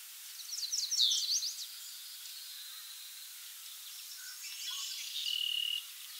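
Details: Yellow Warbler at Montrose Point in May 2012 or earlier, a quick high sweet warbled phrase of rapid notes, then after a pause a softer high trill ending on a thin sustained whistle.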